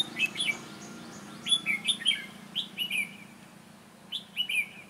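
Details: Red-whiskered bulbul at a trapping session, a sharp-voiced, lively singer, delivering clear, bright, slurred whistled notes in short phrases. Several notes come in quick succession, then a brief lull and a final pair of bright notes.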